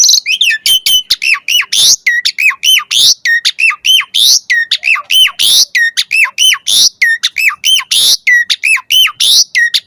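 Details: Asian pied starling song used as a lure to make other starlings answer, with varied filler phrases: a fast, steady run of hooked, rising-and-falling whistled notes, almost four per second, loud and harsh-edged.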